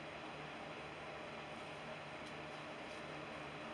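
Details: Steady mechanical hum with broadband hiss, like air conditioning or a passing vehicle, and no animal sounds.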